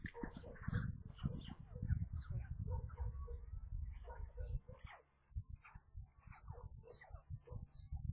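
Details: Brood of five white stork chicks near Kaluga, Russia, calling during feeding on 27 May around 13:57; busy overlapping stream of short nasal squeaks and mews, over a heavy low rumble, with a brief lull near the end.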